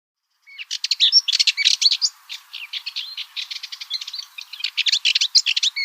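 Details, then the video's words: Continuous scratchy, fast chatter from a Cyprus Warbler, a long-tailed scrub warbler of Cyprus, mixing rattling notes with higher squeaky ones for over five seconds without a break. "Cyprus Warbler - Songs"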